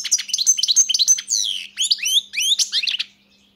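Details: Fast, jangling goldfinch song: a continuous stream of high, sharply rising and falling chirps and liquid twitters, with short clipped notes run together before it fades out.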